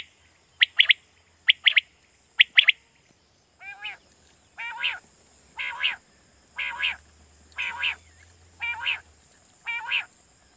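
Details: Quail calling in Pakistan, recorded as a night-hunting lure: three quick sharp three-note phrases open the sequence, then a series of coarser, buzzy, layered notes repeats about once a second, over a faint low hum.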